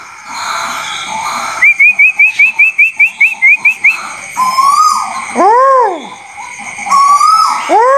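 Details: Bird resuming calling after going quiet: a rapid series of about a dozen short, even, high chips, then repeated drawn-out rising notes, each ending in a falling arched whoop, over steady background hum.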